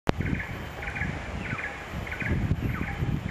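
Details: A black-and-red broadbill in Malaysia in July 2020 gives short clusters of thin, rapid high notes about every half second over steady low rumbling background noise.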